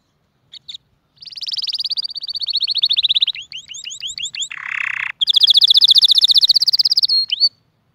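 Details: Canary singing a song intended to tutor young birds and excite males and females toward mating: long rapid high trills of repeated notes, a stretch of downward-curving notes, a brief buzzy harsh section, then another fast ringing trill.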